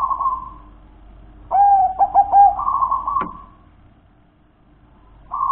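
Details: Local wild-type zebra dove song: a soft rolling coo, then a bright stuttered phrase of three clear whistled coos that runs into a long purring roll, with a sharp click partway through.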